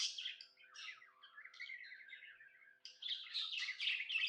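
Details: Happy budgie chirps indoors: bright scratchy notes sliding down into a softer, lower chattering warble, then a louder burst of high buzzy chatter.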